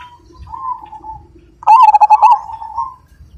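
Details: Zebra dove of the Majapahit type, described as an active singer with a big voice, gives a loud stuttering run of rapid clipped coos, then a long drawn-out level coo, after a soft faint coo at the start.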